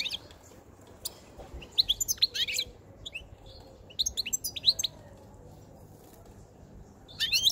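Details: European goldfinch in a cage, a white-chinned male captured five months earlier, singing as spring nears; separated phrases of quick, high liquid twitters and buzzy notes with short gaps between bursts.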